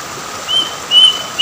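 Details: A plaintive cuckoo at a river in Indonesia gives three short, clear, high whistled notes about half a second apart, over a faint steady background hiss.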